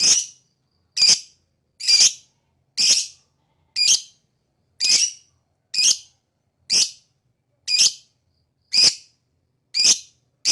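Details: Steady series of eleven shrill lovebird chirps, evenly spaced about one second apart, each a brief harsh high squeak that falls away quickly; clean, quiet background.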